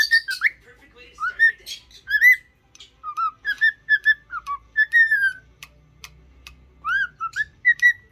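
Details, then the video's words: Cockatiel in training to sing and talk, giving a happy whistled song: a busy run of clear, pure whistles, many sliding upward or dipping, in short phrases with brief gaps and a few sharp chirps between. "تدريب طائر الكوكتيل على الغناء والكلام.Happy cocktaiel singing"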